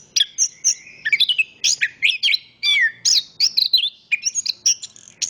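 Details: Chestnut-capped thrush (Zoothera interpres) singing a lively stream of clear whistles, swooping slurs and short chirps, each phrase changing pitch, packed tightly over several seconds with a faint low hum beneath.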